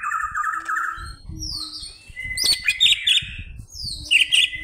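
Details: A Greater green leafbird calls to challenge an opponent. It opens with a warbling low whistle, then gives downslurred high whistles and sharp ringing chips, with some background rumble.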